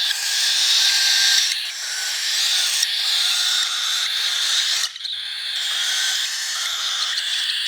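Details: Baby cockatiel begging while being hand-fed, March 2021: a harsh, hissing, raspy begging call in long continuous bursts.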